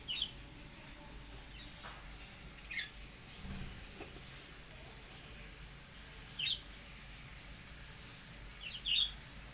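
Budgerigar chicks give brief, high, scratchy chirps, spaced a few seconds apart over steady background hiss.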